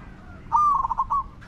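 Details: Close spotted dove decoy, luring wild doves, delivering one crisp coo broken into fast stuttering beats, a little under a second long.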